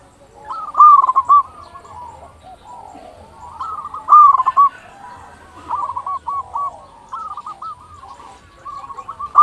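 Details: Local zebra dove in full song, used to lure other zebra doves and prompt them to call: low, soft cooing phrases of quick stuttering notes ending in a longer tone, repeated roughly every three seconds.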